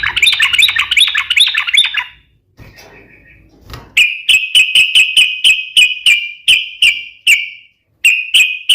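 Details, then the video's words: Sooty-headed bulbul in lively gacor song, used as a lure and for training other birds: a quick warbled phrase, a pause, then a rapid run of sharp clicks each followed by a short whistled note, about three per second. "suara trucukan gacor cocok untuk pancingan dan masteran"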